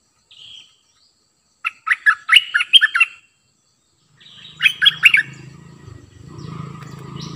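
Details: A new decoy cream-vented bulbul calling to bring wild birds in: two bubbly warbled phrases a couple of seconds apart after one soft whistle, with a low droning hum rising in the background toward the end.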